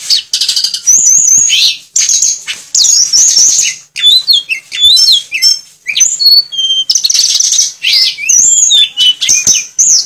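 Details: Tledekan (sulingan) in full song with imitated notes of other birds: a dense, continuous stream of high whistled trills, slurred notes and short chattering bursts, barely pausing across ten seconds.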